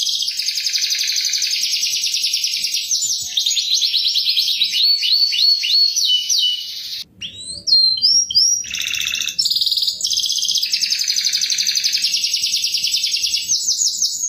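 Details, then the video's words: Long canary lure song, "cuit cuit" chirping: rapid rolling trills and buzzy runs, a short pause with sharp whistled notes and squeaky slides midway, then steady fast trilling resumes to the end. "Suara Pancingan Kicauan Kenari Cuit Cuit"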